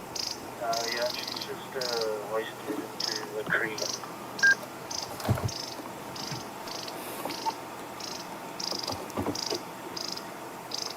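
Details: Long-billed Crombec at a dam on a sunset drive in Djuma, Africa, alarm-calling and deeply irked by something, maybe a snake: short, dry, high chattering bursts about every second while a man talks quietly over it.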